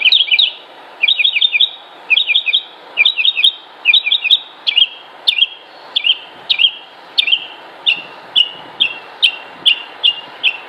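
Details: Male northern mockingbird in breeding-season song to attract females: rapid triple-note chattering phrases repeated about once per second, then a switch to single sharp falling chips with high ticks, given at a steady rhythm, over a low constant hum.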